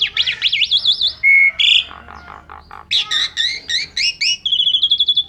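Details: Asian pied starling in full 'gacor' song rich in 'isian' fill phrases. Rapidly wavering whistles and a steady high tone lead into chattering clusters, then a fast run of trilled notes.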